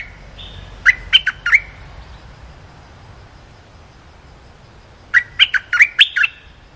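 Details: A cream-vented bulbul gives a short training song for young birds: two short bursts of bubbly, liquid notes, each about a second long and four seconds apart, over a quiet low hum.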